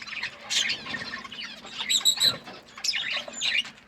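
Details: Feeding budgies give scratchy squawks and bright chirps, including a few clear whistled notes near the middle, over a soft steady background hum.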